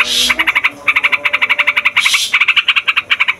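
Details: Yellow-vented bulbuls chattering noisily and continuously, used as a lure for wild bulbuls, in rapid, bubbly mid-pitched notes, several per second, broken by two short bursts of hiss.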